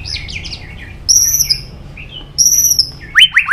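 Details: White-rumped shama fighting song: scratchy notes, then two long thin high whistles separated by soft pauses, ending with quick upward-sweeping notes.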